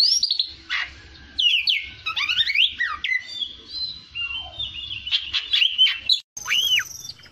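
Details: Fighter-style kacer (Oriental magpie-robin) pouring out sliding whistles, fast rattling trills and harsh buzzes, ending with a clear looped whistled note after a brief break.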